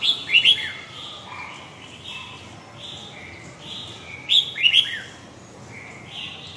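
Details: Red-whiskered bulbul singing in the huế gọng dài style: two loud, quick, bubbly whistled phrases about four seconds apart, with softer warbled notes between them.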